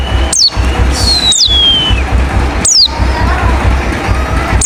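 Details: Lure call of a wild white-eye, pleci ngalas: steep high falling notes spaced over a second apart, one long gently descending whistle, and faint lower warbling, over a steady low rumble.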